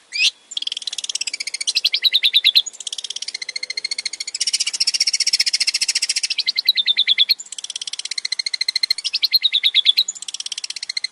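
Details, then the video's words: Male long-tailed shrike in full varied song, used as a lure: long runs of rapid, dense buzzy trills alternating with chattering phrases, nearly continuous. "PANCINGAN BURUNG CENDET GACOR BANYAK VARIASI"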